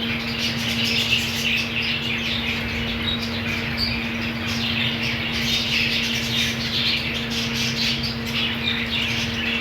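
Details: Budgerigar colony, shown with green food, giving continuous overlapping chirps and squawks from many birds with no pauses, over a steady low electrical hum.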